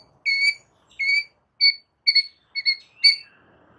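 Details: White-rumped shama song used as a training master for other shamas: clear whistled notes with bright overtones, six in a row, spaced about half a second apart, the last sliding lower. No other sounds.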